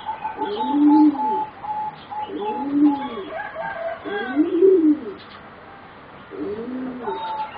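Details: Four young singing zebra doves, roughly 3.5 to 4 months old and bred for competition, deliver low domed coos spaced about two seconds apart, over a steady high whistled tone and scattered chirps.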